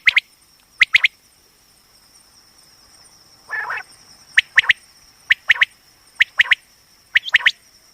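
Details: Common quail female batair call for hunting: sparse pairs and triplets of sharp chips separated by pauses, one harsher buzzy burst midway, a faint constant high hum behind.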